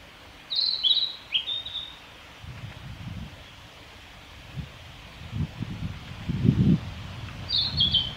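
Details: On the Hinata forest road on 9 May 2021, a male Narcissus flycatcher gives a quick phrase of high, clear whistled notes, then repeats a similar phrase about seven seconds later; soft rustling and low thumps in between.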